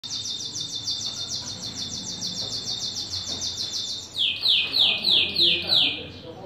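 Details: A canary sings a bright, rapid trill of high notes for four seconds, then switches to slower, louder, rising sweeps repeated about three times a second.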